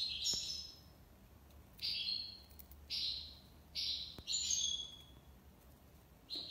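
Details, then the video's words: European goldfinch in Algiers delivering tiwawati song: separate high, liquid, slightly buzzy phrases roughly every second, against a steady low background hiss and hum. "مقنين تيواوطي ليبساد الله يبارك / chardonneret tiwawati"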